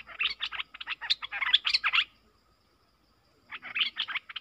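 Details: Song duel between a pair of Streak-eared bulbuls, 30 October 2021: two seconds of rapid, harsh, bubbling notes, a pause, then a shorter chattering burst.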